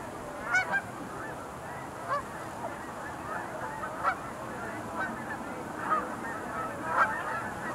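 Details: Sandhill cranes at the Montezuma National Wildlife Refuge Visitor Center pool, 20 November 2021: a steady murmur of many distant calling birds, with louder rolling calls standing out about every one to two seconds.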